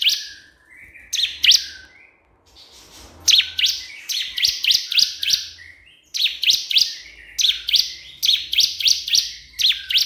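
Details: Bar-winged prinia (ciblek kristal) calling a rival, used as a lure to make other prinias sing: bursts of two to five sharp, high, buzzy chips. The bursts are separated by short pauses and sit above a faint low hum.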